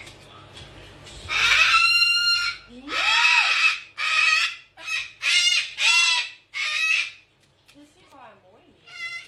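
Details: Three rescued pet cockatoos at dinner time, calling loudly indoors: a series of harsh, raspy screeches with strong harmonics, each lasting about half a second to a second, separated by short pauses, with a quieter chattering sound near the end.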